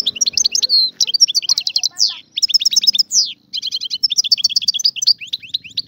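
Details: European goldfinch, a free bird of the Algerian type, delivering rapid bursts of bright twittering and metallic trills, broken by a few sweeping slurred notes and short pauses. A soft low hum runs underneath.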